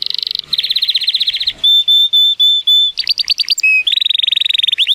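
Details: Male Timbrado Español canary born 2018, rated 83 points, singing a powerful training song on a sunny day: fast buzzy trills and rattling rolls alternate with a run of clear, even whistled notes repeated about twice a second.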